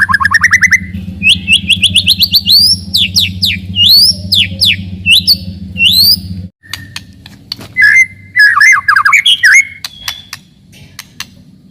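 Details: White-rumped shama song for provoking rivals and testing young birds: rising rapid trill, then a run of rising and falling slurred notes over a steady low hum, followed by sparser, scratchy phrases after a break.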